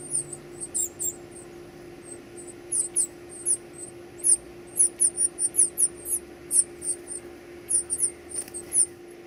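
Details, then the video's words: Baby birds begging while being fed: rapid strings of very high, thin, piercing squeaks, growing busier and denser, with a steady low hum behind. "feeding baby birds"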